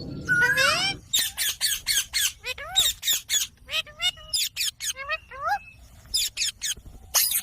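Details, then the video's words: Dancing green ringneck parrots screech in a rapid run of harsh, high squawks, several every second, mixed with a few rising nasal calls over a quiet background. "Ringneck Parrot sound"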